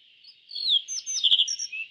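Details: Yellow bunting singing a short phrase of slurred high whistles and sharp chirps, ending in a soft falling note, against a steady high-pitched background hiss.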